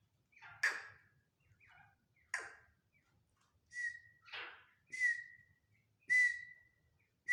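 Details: Black francolin giving rough, rasping calls in an uneven series, some notes sliding into short level whistles, roughly one call per second, over a faint low background hum.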